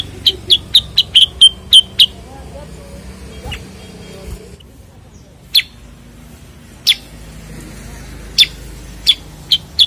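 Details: Common Iora, known locally as cucak kurincang: a fast run of about ten sharp, high chipping notes for two seconds, then isolated single chips spaced a second or more apart, over low traffic rumble.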